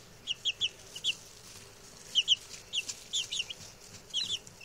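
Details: Six newly arrived male chicks, settled in and chatty, being reared for eating and taxidermy; high, short peeps in quick bursts of two or three, repeated through the recording with brief pauses.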